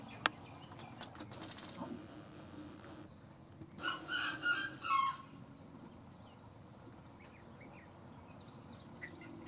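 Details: Ruddy duck during courtship display: a short burst of four quick, accelerating broadband ticks or pats, ending in a brief lower note, set against a steady murmur of distant birds and faint background noise.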